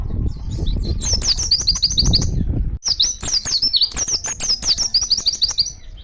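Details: Oriental white-eye singing in the lively wild-style 'ngalas' manner, calling other white-eyes; rapid runs of very high, thin chirps and trills in two bursts split by a brief pause near three seconds, with low rumbling background noise during the first half.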